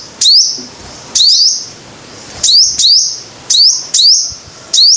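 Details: Five-coloured sunbird: sharp high notes, each jumping in then sliding upward into a thin, sustained, piercing whistle. Phrases come in irregular bursts, about one per second. Background is quiet.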